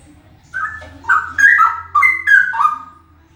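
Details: Loud male straw-headed bulbul delivering a short phrase of mellow, liquid whistled notes that jump up and down in pitch, about six connected notes over two seconds.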